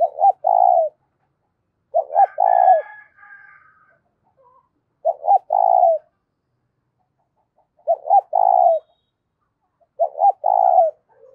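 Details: Spotted dove with a loud, clear voice cooing to excite decoy doves. Five phrases spaced about two seconds apart, each with two brisk hoots then a long purring note, and a brief higher bird chatter after the second.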